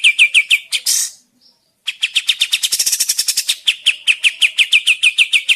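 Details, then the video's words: Sooty-headed bulbul lure sound meant to draw birds into answering and singing, heard as fast repeated chirps with a brief gap near one second, then a thick run of higher notes before the steady chirping resumes. "Burung Kapas Tembak mana yang tidak nyaut dan gacor dengan pancingan ini"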